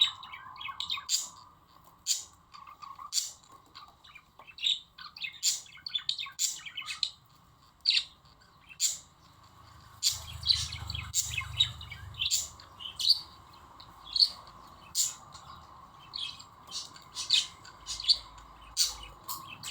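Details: Budgerigars being encouraged to mate chatter in quick, scratchy chirps and warbles during courtship.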